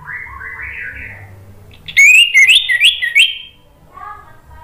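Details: Orange-headed thrush (anis merah) lure song for prompting stalled birds to reply: quiet warbling gives way to a loud, slurred whistled phrase of rising and falling notes, then fades to soft low notes.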